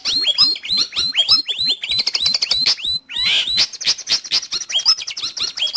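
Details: Long-tailed shrike, recorded for tutoring pet birds or attracting wild ones, pours out a fast series of downswept whistled chirps, then a buzzy burst and high twittering notes.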